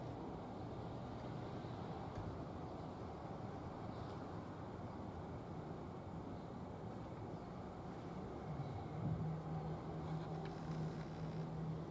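Steady low vehicle rumble with a faint engine hum rising near the end; no animal calls.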